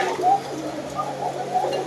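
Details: Koka pigeons kept together in a crowded loft with a fan running, many calling at once as each sets off the others; soft overlapping low coos and warbles swell and fade in a steady murmur.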